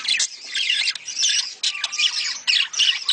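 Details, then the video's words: Budgerigar mating sound meant to stimulate breeding: an intense, unbroken twitter of high chirps, squeaky warbles and harsh squawks from several overlapping birds. "صوت تزاوج العصافير الاسترالي محفز ليهم"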